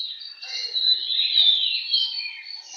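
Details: Contest-singing Oriental magpie-robin delivering a continuous stream of bright, high whistles and rapid warbled trills, swelling in loudness mid-phrase, with soft lower twittering notes underneath.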